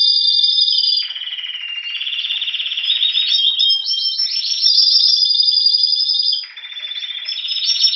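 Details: Caged Spanish Timbrado canary from Anavissos near Athens, Greece, in February 2016, awaiting spring: sustained rolling trills that switch between a lower buzzy stretch and brighter rapid phrases, with pulsed and sweeping notes alternating over eight seconds.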